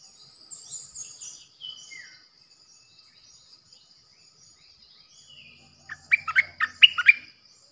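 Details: Bulbul kept as a decoy bird, recorded 8 May 2021: a quick burst of about eight fluty, bouncing notes near the end, after several seconds of faint high whistles and insect-like hiss.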